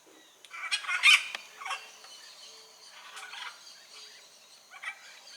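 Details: Wild blue-and-yellow macaw in nature: a few harsh, raspy squawks, the loudest early on, then fainter scattered grating calls spaced a second or more apart over a quiet background.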